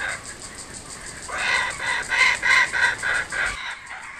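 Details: Kookaburras back at a home in Australia; after a quiet start a rapid run of harsh, rhythmic cackling notes, about three per second, builds and then stops abruptly.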